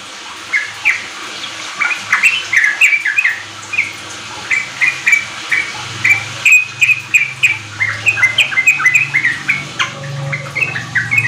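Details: Sooty-headed bulbul song used as a lure to get untrained kept birds singing quickly in riwik and ropel style. Bright chattering notes repeat rapidly for most of the clip, with a low steady hum underneath.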